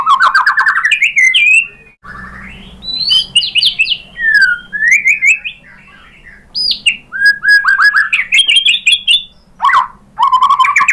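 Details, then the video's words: White-rumped shama singing as a provocation to get other birds to answer: rich, continuous warbling of slurred whistles that climb and fall, interspersed with sharp clicks, with a brief quiet gap early on. "PANCINGAN MURAI BATU bikin NYAUT BUNYI GACOR NGEPLONG BONGKAR ISIAN"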